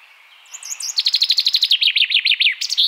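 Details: Common Chaffinch song phrase: soft opening notes, then a fast series of repeated bright notes falling into a descending rattling trill, finished with an emphatic terminal flourish.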